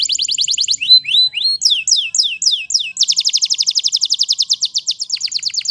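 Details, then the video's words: A canary sings in the wild, delivering quick high trills, then slower repeated rising and falling slurs, then a very fast, even rattle of sharp notes before a final stuttering phrase. "Canary Singing In The Wild"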